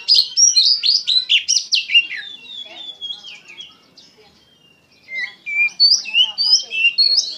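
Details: Energetic gacor song of an Oriental magpie-robin: rapid loud whistled phrases for about three seconds, a near-silent pause, then renewed bright upslurred and downslurred whistles.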